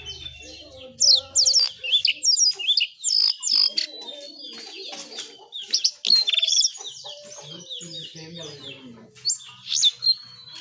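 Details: Brown shrike calls played as a lure for birds: uneven bursts of sharp, high squeaky chirps and short scratchy notes, with brief pauses between clusters and a faint lower warbling murmur underneath.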